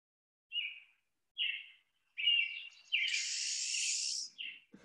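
Pine Siskin: three short, twittering high notes, then a long, harsh buzz that rises like a zipper being pulled up, and one final short chirp.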